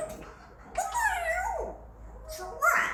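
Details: Pet male African grey parrot, five years old, trying out English indoors: one drawn-out, wavering, speech-like utterance that rises then falls away, followed by a brief rising syllable.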